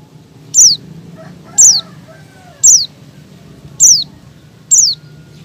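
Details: Female Oriental white-eye in breeding condition calling to draw out males: five thin, high notes sliding sharply downward, each one short, spaced about one second apart, over a faint low hum.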